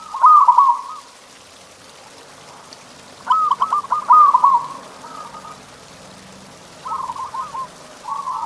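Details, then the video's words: Training recording of zebra dove song meant to get caged doves singing: three or four short rolling trilled coo phrases separated by pauses, over a steady hiss of background noise. "Suara Masteran Perkutut Ini Bikin Burung Kamu Nggak Mau Diam!"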